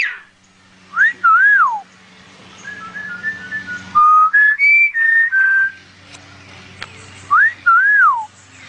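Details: Myna imitating cell phone sounds: clear whistled tones, a rising-then-falling slurred phrase near the start and repeated near the end, with a run of steady, stepped pitch notes between, quiet room background.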